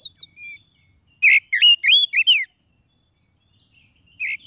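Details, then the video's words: Oriental magpie-robin lure song for trapping wild birds, also used to prompt a reluctant caged singer: a burst of loud, clear whistled notes rising and falling with buzzy, slurred phrases, then a short pause and a fresh whistle; clean background. "SUARA PIKAT KACER PALING AMPUH"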